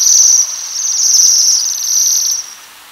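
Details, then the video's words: Waxwings feeding on rowan berries give a very high-pitched metallic trill, a near-continuous thin buzzing band that fades out toward the end. "The Waxwing and its Call"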